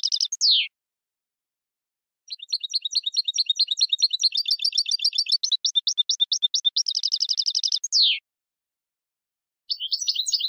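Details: Goldfinch contest-education song: a falling slurred note, a pause, then long series of rapid high chirps building into a buzzy trill, another descending slur, and renewed twittering after silence.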